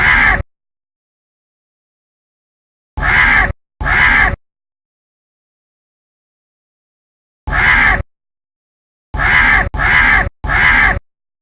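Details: Loud, coarse caws from a crow calling in a tree, seven calls, some single and some in rapid runs of two or three, with quiet gaps.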